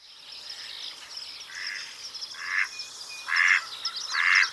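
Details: Mallard duck giving four harsh, nasal quacks, each louder than the last, spaced about a second apart, over a steady chorus of high twittering small birds.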